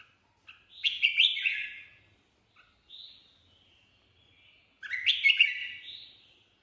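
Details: Red-whiskered bulbul singing improvised song: two loud rich warbling phrases several seconds apart, with a soft whistled note and quieter fragments between them.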